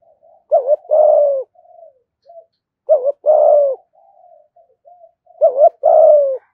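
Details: Spotted dove lure bird giving a thúc gù coo in the local thổ voice style: low hollow coos, a short double note then a longer drawn-out coo, repeated about every two and a half seconds, with faint softer notes between.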